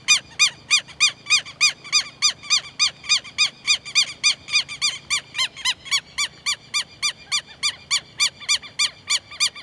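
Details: Southern lapwing giving a long, even run of strident, ringing notes, each rising then falling, repeated roughly three to four times per second throughout, over a soft low background rumble.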